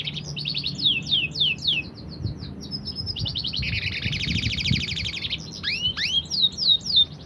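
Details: Singing canary delivering a lively song of quick sliding chirps, a long rolling trill and upward-swept whistled notes, with a faint low background hum.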